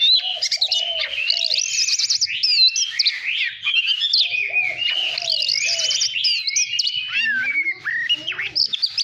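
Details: Extended white-rumped shama song recorded to train the voice and spur competitive singing: a continuous cascade of varied whistles, trills and slurred notes, with a faint low hum in the background.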